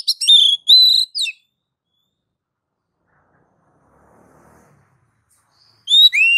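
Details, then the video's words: Oriental magpie-robin (kacer) singing gacor: clear, bright whistled notes in short phrases, a long silent pause with faint low rustling, then one rising whistle. "KACER NGEPLONG MEMANCING KACER AGAR CEPAT BUNYI GACOR Birds Song Kacer"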